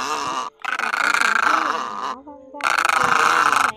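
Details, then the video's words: Rasping, pulsed egret croaks meant to pull night-migrating birds toward nets, in two long grating bursts split by a quiet gap with soft whistled notes. "Tiếng Cò Mỏ Đen , Mỏ Vàng Cò Ngàng"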